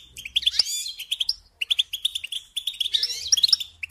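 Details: Training recording of a European goldfinch singing for young birds to learn: bright, jangling chirps and rapid trills in three phrases split by short silences, over a faint low rumble.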